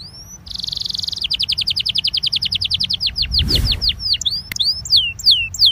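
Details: Warm-up song of a Belgian canary: a short rising whistle, a steady buzzy trill, then a long series of quick falling notes that gradually stretch into wide looping sweeps, with a brief low thump midway.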